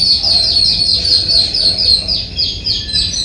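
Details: Yellow-billed babbler in Sri Lanka, known locally as demalichcha: a rapid run of high, squeaky chirps, about four per second, sliding downward, with faint low background rumble.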